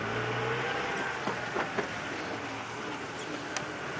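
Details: Steady vehicle engine rumble with a few faint clicks and knocks, no animal voices. No calls stand out above the broad drone of the motor.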